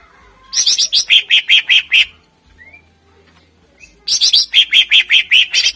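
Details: Greater green leafbird (cucak ijo) song used as a lure for contest birds: two bursts of rapid, loud repeated notes, about eight per burst, with a short quiet gap holding a faint rising whistle.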